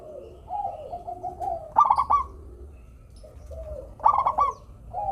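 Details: Local zebra dove song used to prompt lazy doves into singing: soft low cooing, then two bursts of rapid staccato coos about two seconds apart, with faint background rumble.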